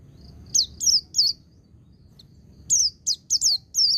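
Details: Song of a white-eye in the ngecir-ngalas style, used for training: three bright, slurred downward chirps, a short gap, then a quicker burst of five high, sweeping notes, about three per second.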